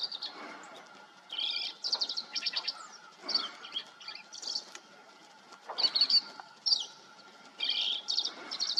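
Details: Repeated jumbled song phrases of a green-tailed towhee, a western sparrow filmed in Texas and New Mexico. Bursts of high chirping trills, some rattling, come about every second or two, with a low steady hum behind.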